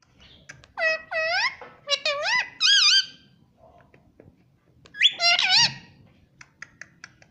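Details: Pet parrot talking, said to be saying "mummy": loud, clear, harmonic vocal phrases in two bursts. Some swoop downward and some rise, with quiet room noise between them.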